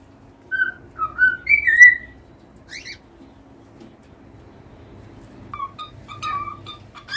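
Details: Cockatiels singing indoors: clear whistled notes in two bursts, a run of rising and falling whistles early on and another phrase near the end, with brief harsh chirps between and low steady room hum beneath.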